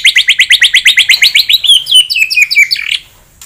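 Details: White-rumped shama singing to provoke a rival bird's aggression: about fifteen quick, evenly spaced upslurred chips, then a tumbling run of varied high whistles ending abruptly.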